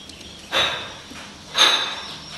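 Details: Pet common hill myna recorded in May 2015 while struggling to talk with its keeper; two loud rasping bursts a second apart, each carrying a thin high whistled tone, with a quiet hum between.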